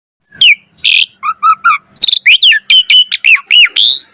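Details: Varied song of an Asian pied starling (jalak suren), played to stimulate other starlings to sing: harsh squeaks, a run of three stuttering mid-pitched notes, then rapid whistled and squeaky notes in quick succession.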